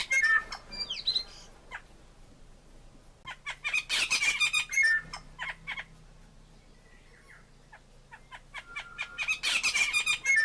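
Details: Tui (Prosthemadera novaeseelandiae) calling: a jumble of clicks, harsh rasps and bell-like whistles in uneven bursts, with quieter gaps between the louder outbursts.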